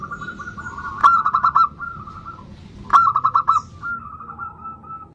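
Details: Zebra dove singing, played as a lure for other birds: two bursts of quick cooing notes, each with a sharp click at the start, over a steady low background hum.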